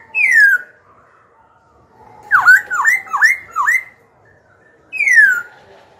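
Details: Black-throated laughingthrush, a young captive bird indoors, singing to challenge rivals and teach young birds: a bright falling whistle, a long pause, four rapid dipping-and-rising notes, then another descending whistle.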